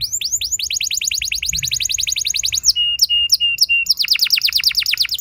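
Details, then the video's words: Canary song meant to prompt other canaries to sing long rolls: a fast rolling trill of repeated high notes, a few flat whistled notes, then another rapid trill. "Seketika Burung Kenari Lain Ikut Gacor Ngeroll Panjang! Pancingan Ampuh Kenari Paud"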